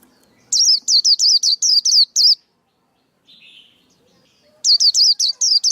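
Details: Male white-eye song for coaching young birds and trapping: two strings of about eight fast, high whistled notes with a dip-and-rise shape, a soft lower buzz between them.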